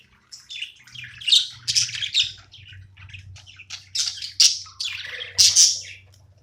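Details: Pet budgerigar at play, giving bursts of bright, scratchy chirps and warbles with short squeaky notes, coming in uneven clusters with brief pauses between them; a low indoor hum runs underneath.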